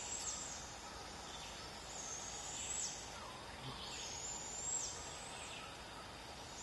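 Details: Two fledged barred owlets being fed torn chunks of prey by a parent: repeated raspy, high hissing screeches, each rising and falling in an arch, coming every one to two seconds over a constant insect whine.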